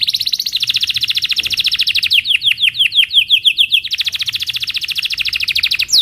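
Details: Belgian canary singing in the morning, used as a lure to teach young canaries; a fast rolling trill of high notes, then a run of separate downslurred whistled notes at about four per second, then a return to dense rolling trills.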